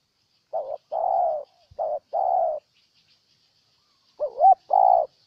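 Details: Spotted dove from Ninh Thuận province, Vietnam, cooing: two phrases of a short note and a longer coo, then a pause and a wavering, bending note before a final long coo, in a quiet setting.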